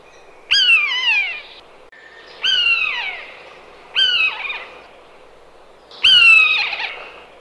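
A common buzzard gives four drawn-out, mewing cries, each sliding downward and lasting about a second, repeated every two seconds against a quiet background.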